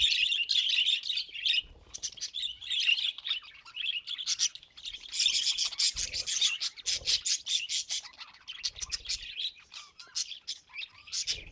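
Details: Pet budgie warbling continuously: a rambling stream of buzzy, high chirps and clicks, rising into a sharper, rapidly pulsed run of notes halfway through, then settling back to softer chatter.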